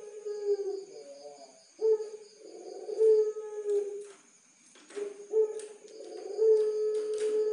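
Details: Caged puter pelung dove, a contest-bred Barbary dove from Tulungagung, Indonesia. It gives long, deep, drawn-out coos, each opening with a strong note and swelling into a sustained tone. The coos are repeated several times with short pauses, over a faint steady high ringing.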